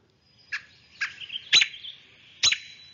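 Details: An agitated American Robin gives four sharp, explosive 'peek' alarm notes about half a second apart, with thin whining calls in between. Both sexes make this call, typically when a nest or fledgling is disturbed.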